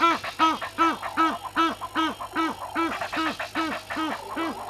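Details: Hadeda ibis recorded at 05:17 by a live waterhole camera at Gowrie dam, Djuma Game Reserve, Sabi Sand Wildtuin, South Africa, dated 11/01/21. It gives loud, harsh, nasal calls in a steady series of about eleven, roughly every 0.4 seconds.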